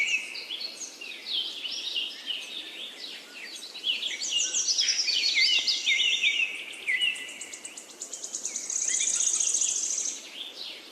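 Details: A busy bird chorus of high, quick twittering notes that overlap one another, broken by rapid rattling trills and a bright, sustained buzzy trill near the close.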